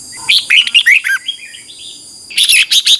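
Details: Red-whiskered bulbul morning song meant to train a wild-caught bird: a lively phrase of rich, rolling whistles, a short pause, then a louder burst of clipped high notes.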